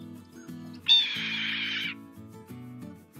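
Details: Red-tailed hawk (Buteo jamaicensis), scream.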